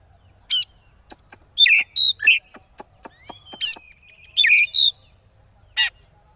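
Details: Oriental magpie-robin (kacer) singing konslet as a lure for rival birds: harsh buzzy notes and curled whistles mixed with a string of dry ticking clicks, ending in a single rough rasp.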